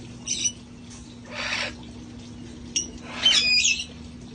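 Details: Parrots playing outside at a sanctuary: a few scattered calls, a short raspy squawk, a longer harsh squawk, then a burst of high whistled chirps.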